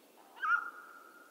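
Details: Mountain quail from western North America giving a single loud call: a brief rising onset that settles into a clear, steady mid-pitched tone, held and fading for nearly a second over a quiet background.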